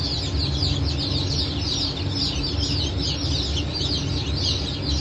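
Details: Hatchling chickens, Brahma, Phoenix, Sultan and Appenzeller breeds hatched 9 May 2024, produce an unbroken wall of high, sharp peeps, several at once, over a continuous low humming sound.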